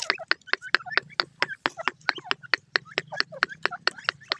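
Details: A pair of grey francolins, partridges also called desi teetar, calling: rapid, loud, sharp notes repeated in a dense rhythmic series, several per second, with harmonic clicks and a low steady hum beneath.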